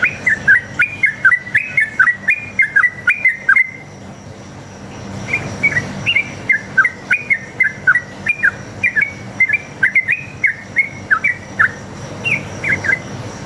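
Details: Long, rapid 'ropel' song of a sooty-headed bulbul, a lure meant to get other bulbuls singing back: strings of quick rising and falling whistled notes, a brief pause near four seconds, then more fast phrases.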